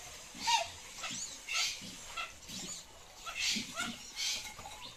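Mandarin duck giving short, squeaky, rising whistled calls roughly once a second, with faint low murmuring underneath.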